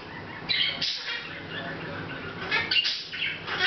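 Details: Hahn's macaw kept as a pet, chatting a little on August 10th 2012 without noticing the camera; a few scratchy, buzzy syllables and brief squeaks come in loose clusters against a constant background hum.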